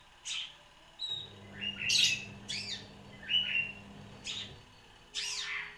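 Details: One-year-old long-tailed shrike with a song stocked with bar-winged prinia and sparrow imitations; separate sharp chirps and short buzzy notes at irregular spacing, a constant low hum in the background.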